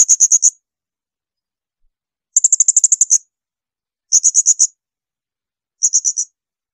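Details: Shrill bursts from a blue-crowned hanging parrot, recorded as tutoring material for other songbirds: short runs of four to nine rapid, very high, piercing notes, spaced about one and a half seconds apart over a quiet background.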